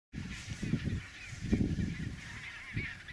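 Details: Chinstrap penguins on a trodden snow path between the sea and their nesting colony; low, harsh honking bursts come in loose pulses, with a steady higher hiss of wind or surf behind them.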